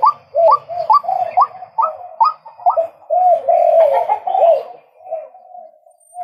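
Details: Male white-breasted waterhen giving a quick series of upswept croaking notes that runs into a longer, smeared, blurred phrase and fades, then a single note starts again at the end.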